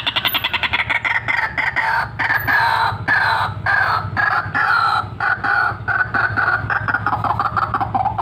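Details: Loud, persistent calling of a white-breasted waterhen, meant as a lure for trapping. Rough, harmonic-rich croaks repeat in fast, unbroken series, rising and falling slightly in pitch across the whole stretch.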